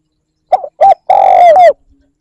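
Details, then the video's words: A single spotted dove phrase used for luring birds. It has a soft short coo, a second short coo, then a long, steady, hollow coo that dips slightly before ending. The background is quiet. "Tiếng chim cu gáy kích bổi"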